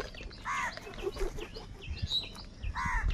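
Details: Crows, described as fighting over food: two loud, hoarse, harmonic caws about two seconds apart, with faint chirps of smaller birds and low outdoor rumble in between.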